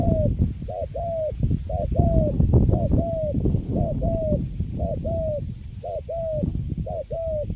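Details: Cấn Sấm spotted dove, caught and put in a cage where it stands still, its cooing rated quite good: regular paired coos, a quick short note then a longer gently descending one, repeated roughly every second over low background rumble.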